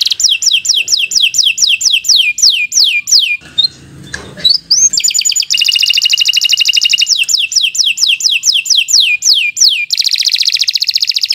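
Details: Canary in long, energetic song for young birds to learn from: series of falling whistled sweeps alternating with fast buzzy trills, broken briefly by a rustling noise.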